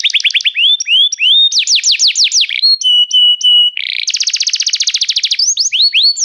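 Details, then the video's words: Restless canary song with varied tours: short rising whistles, bold downslurs, steady held tones, a brief buzz, then a rapid dense trill. "o canário cantava inquieto"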